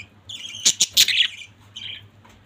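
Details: Pet budgies in a family group give a cluster of sharp loud chirps and a rasping note, then a softer trailing call, with a low hum beneath.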